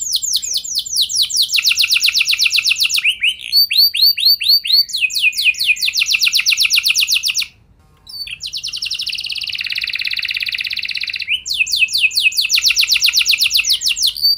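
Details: Canary song played to encourage other canaries to sing long rolls: extended rapid trills alternating with slurred notes, a short pause, a buzzy churring stretch, then more fast rolling trills.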